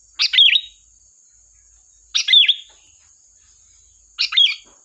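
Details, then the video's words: Lure song of a sooty-headed bulbul in energetic gacor style: three chirpy, slurred phrases, each a burst of notes ending in a bent whistle, spaced about two seconds apart, with a steady faint high tone behind. "Suara burung Kutilang Gacor || tembakan tajam pas untuk pancingan"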